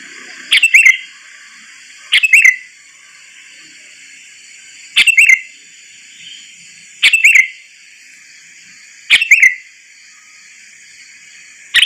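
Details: Sooty-headed bulbul lure call used for bird trapping: short, sharp bright notes repeated in brief clusters roughly every two seconds, over a steady high-pitched electronic hum.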